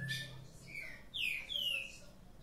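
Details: Green-winged saltator, one of several kept birds lively at dawn, giving clear, slurred, descending whistled notes, two strong phrases after a softer opening note, with a faint low hum behind.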